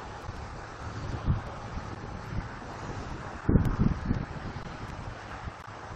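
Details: Steady wind rush with a few low thumps and rumbles, no animal voice heard.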